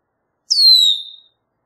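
A red-winged blackbird gives one clear, high whistle that slides downward and fades over nearly a second. No other sounds are heard.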